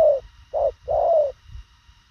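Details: Spotted dove of the thổ khàng style with brisk coos: a falling hoot, then a short note and a longer mellow coo, all in about two seconds, with slight low background noise.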